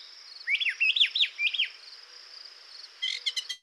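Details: Male Brown Thrasher song. He sings one-second phrases separated by pauses and never repeats a phrase. Here comes a run of about five loud down-slurred whistles, then a quick buzzy rattle of high notes, over a constant thin high drone.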